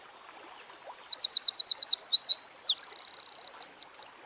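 A Eurasian wren sings a loud, high, rapid burst: a series of sharp repeated notes, then a fast dry trill and a few closing chirps.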